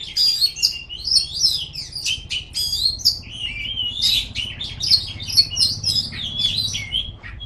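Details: Oriental magpie-robin (kacer) in ngipas style: an unbroken cascade of high chirps, trills and wavering whistles lasting over seven seconds, over a low droning background.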